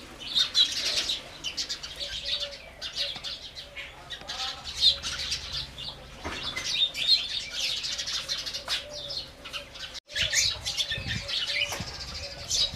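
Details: House sparrow chirping: a dense stream of short, sharp, bright chirps, overlapping and repeated throughout, with a brief silent gap near the ten-second mark and faint low rumble beneath.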